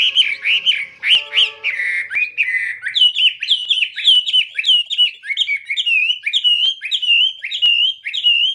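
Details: Chinese hwamei in full song, a continuous stream of loud, rich whistled phrases that rise and fall in rapid succession. The notes constantly change shape, with a few short lower-pitched notes early on.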